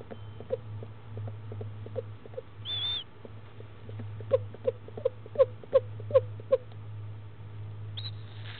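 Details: Barred owlet in Florida, a female hatched that morning, eating with gusto at 10am on 19 February 2015; rapid faint peeps, a short high whistle, then a clearer run of six rhythmic peeps and another whistle, over a low hum.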